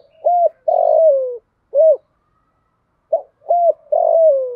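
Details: Decoy female spotted dove calling to attract wild males, one-ending 'thổ pha' style voice: arched coo, long burred descending note, a short clear coo; the phrase repeats after a pause, no other sounds.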